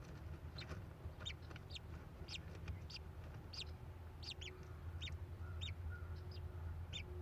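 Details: American kestrel nest box in Prairie du Chien, Wisconsin, on the morning of 12 May 2021, as the first chick hatches: about a dozen short, high, sharp chip notes at an uneven pace, over a steady low rumble.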